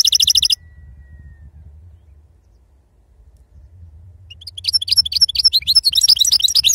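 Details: European goldfinch with wild 'serfati' song: a brief tight trill opens, a quiet pause with low background rumble follows, then dense high twittering and rapid chattering notes build to a steady stream near the end.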